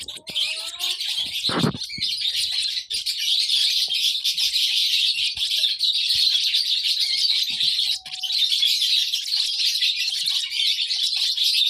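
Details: Continuous high, scratchy chirping of a baby lovebird, with a low thump early on and a few faint whistled notes amid the chatter.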